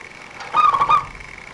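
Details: Single short burst of a local zebra dove's fast, dense cooing, a lure song for bird trappers: a quick rolling phrase of clipped notes over steady background hum.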